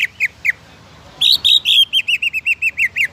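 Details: Greater green leafbird song used to trigger other leafbirds: three separate downslurred chirps, a silence, then loud rich whistled notes giving way to a quick evenly spaced series of short chirps.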